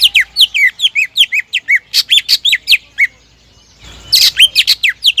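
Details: Rapid, dense greater green leafbird song meant to trigger rival birds: quick strings of downward-sweeping whistled notes, a short pause near four seconds, then a harsher burst followed by more falling whistles.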